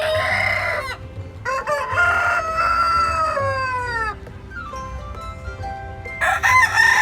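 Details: Several roosters crowing one after another, long drawn-out harmonic crows that sag in pitch at the end, overlapping in places, with a fresh loud crow starting near the close.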